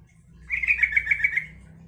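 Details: A single rapid, gurgling phrase of yellow-vented bulbul song, pulsing quickly for about a second over a low background hum; the song serves to set other bulbuls calling back.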